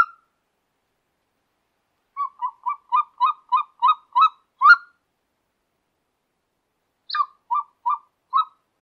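A golden eagle gives a quick run of about eight yelping, whistled notes that build in strength, then after a pause a shorter series of four.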